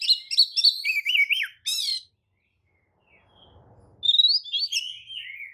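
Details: Oriental magpie-robin lure song meant to provoke other magpie-robins to answer and fan their tails: rich, varied phrases of whistles, rapid trills and buzzy notes, a short silent gap, then sweet slurred whistles resume.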